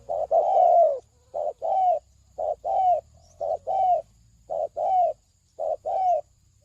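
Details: Spotted dove lure call meant to draw in wild doves, paired coos, a short note followed by a longer falling one, repeating about once a second over soft low background hum.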